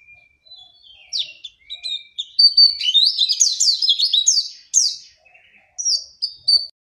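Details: Oriental white-eye heading toward a lively singing bout: sparse high whistles build into a fast, jumbled twittering warble of sweeping chirps, then break into separate sharp notes near the close.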